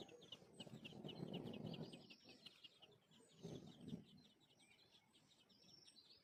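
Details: Parent birds tending chicks at their nest, with fainter fast high twittering steady across the whole stretch, plus two bursts of low rustling and thumping near the start and middle.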